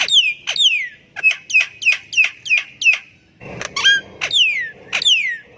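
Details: Javan myna song used as a lure to get silent birds singing: a series of loud whistled notes, each sliding sharply downward with a buzzy edge, repeated about every half second, with a harsher burst near the middle.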